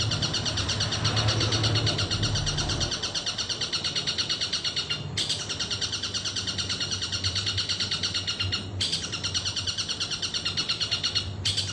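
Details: Long-tailed shrike singing a long, sustained 'nembak' burst: a fast, dense chatter of high, scratchy notes repeated about three times a second, briefly broken by short pauses, over a low steady hum.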